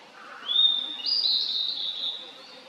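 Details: Wild Blue-and-white Flycatcher in a valley, 2023, singing a rising whistled note that jumps higher into a long, slightly rough, wavering phrase before fading out.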